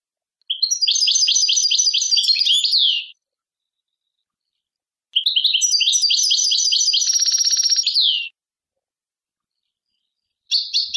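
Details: Goldfinch singing long twittering phrases of fast liquid chirps and trills, each two to three seconds, with a buzzy rattling passage in the second phrase and a third phrase starting at the end; clean recording, no background.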